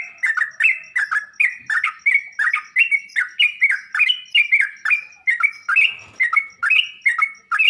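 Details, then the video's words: Sooty-headed bulbul singing as training audio to make kept birds reply: a long, unbroken series of sharp, bubbling two-part notes, rising then falling, delivered roughly twice per second. "Burung trucuk anda bakal nyaut dan ngropel seketika saat di masteri dengan suara trucuk ini"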